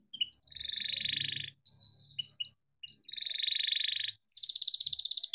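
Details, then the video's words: Caged canary in 'cuit cuit ngerol' song, used as a lure to make other canaries sing: two long buzzy rolling trills separated by short whistled chips, ending with a higher, faster trill. "Kenari gacor cuit cuit ngerol untuk pancingan kenari biar gacor"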